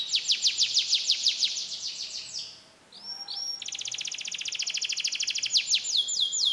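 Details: Canary singing a mixed song of imitated phrases, Comal, Pemalang, Central Java, Indonesia: rapid high buzzy trill for over two seconds, a brief pause with a few upslurred whistles, then another long fast trill ending in sweeping notes.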